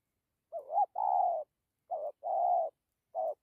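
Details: Spotted dove sounding its good coo, dặm with gù: warbled short notes each followed by a drawn-out soft hollow coo, repeated three times in a clean, quiet setting.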